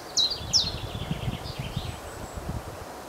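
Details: A common chiffchaff singing in a tree on a windy day gives two sharp, high, downslurred notes, then a run of fainter ones, over steady wind rumble.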